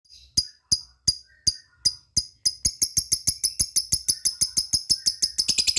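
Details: Lovebird making cik cik cik calls to summon companions, ticking and cackling style: sharp high chips start spaced and slow, then quicken into a steady rapid run of about five per second, with faint low hum behind.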